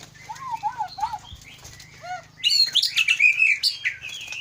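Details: White-rumped shama of the Aceh Leuser type, a fighter bird noted for learning and delivering mimicked material: soft arched whistles, then loud varied rich phrases of warbles and sharp notes, with low background hum.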